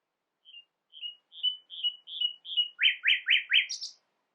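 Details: Common nightingale singing a varied phrase said to imitate other birds: a series of short, high, even notes gradually rising in loudness, then four loud, buzzy, downward-sweeping notes and a sharp high flourish.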